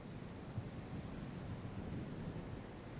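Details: Steady low roar of wind or surf fills the whole stretch, with no animal calls heard.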